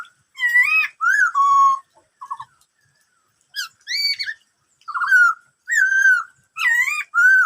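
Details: Black-throated laughingthrush delivering 'bắt cô trói cột' song: three quick whistled phrases, a short stuttered pair, a pause, then a string of warbling slurred notes of varied pitch.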